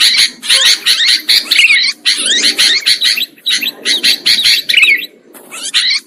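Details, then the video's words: Lure recording for trapping sooty-headed bulbuls: bursts of noisy, crowded chatter with rapid rasping notes and a few rising whistled phrases, broken by brief pauses near two and five seconds. "Suara Pikat Burung Kutilang Ampuh"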